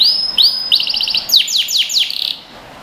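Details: A yellow canary sings a clear, high phrase, used as a training song for young birds: a held whistle, a fast bubbling trill, then several quick downward-swooping notes in a row.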